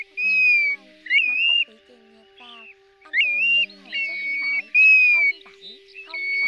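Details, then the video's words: Pacific golden plover giving clear, high whistled calls, some slurred downward, some rising or warbled, about six in quick bursts, over faint low hum; used for night-net trapping during August 2024 migration. "Tiếng Chim TU HUÝT , Chim Choi Choi Vàng Lông Cườm"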